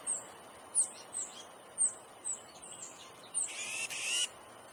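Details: Young Brown Thrasher, a flightless fledgling found out of its nest while its parents keep feeding it; a series of sharp, high descending peeps roughly every half second, ending in a loud, rasping, noisy burst.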